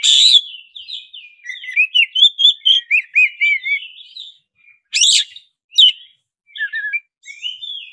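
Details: Black-breasted oriental magpie-robin (kacer dada hitam) song used as a lure to make another kacer sing: varied, rich whistled phrases with sliding notes and harsh bursts, separated by short pauses.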